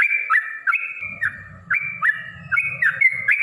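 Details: Yellow-vented bulbul singing aggressively in a long rapid lure song meant to provoke rivals. Slurred, bouncing whistles repeat about three times a second over a faint low rumble.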